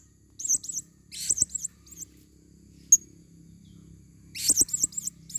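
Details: Female blue-crowned hanging parrot, a lure recording for use in the forest: thin, very high squeaky notes, each with a quick wavering up-down inflection, given in short bursts with pauses, with a few faint low knocks.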